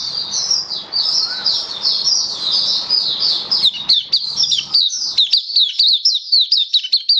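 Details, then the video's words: Caged Oriental white-eye of the Kitaro type during a song display booster trial in October 2022: long high thin warbling over steady broadband noise and low hum, shifting into brisk repeated high chips and twitters as the noise drops. "Mata Puteh Kitaro Buka Sing"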